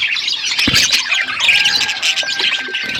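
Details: Winter-morning budgie chatter: a constant mass of high, scratchy warbling from several birds, with a faint steady tone running under it.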